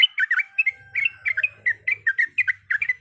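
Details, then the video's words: Yellow-vented bulbul song in a quiet setting: loud, liquid, slurred whistled phrases in quick pairs and triplets, about four per second, with a faint low buzz. "Trucukan gacor ropel panjang full isian berbagai macam suara"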